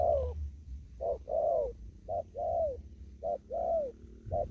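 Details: Hurried 'thúc gù' cooing from a spotted dove still in an upland field in Kon Tum: clipped note followed by a sustained arching coo, four phrases about a second apart, soft low rumble.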